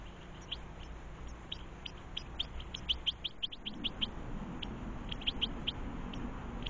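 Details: European goldfinches with their young feeding in a garden; rapid, high, thin chirps in a dense run, clustered most tightly in the middle, over low background rumble.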